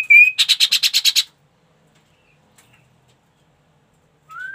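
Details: Ashy tailorbird (kaso kaso) song: a brief whistled note, then a fast series of about nine buzzy rasping notes, silence, and a rising whistle at the end.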